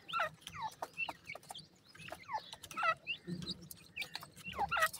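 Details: Partridge chicks in Pakistan, several young birds together, giving short, clear downslurred peeps in quick irregular runs with rustling and low background rumble.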